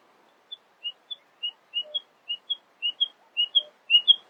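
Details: Nightingale singing early in the morning: clear whistled notes alternating between two pitches, steady and unhurried, about two per second.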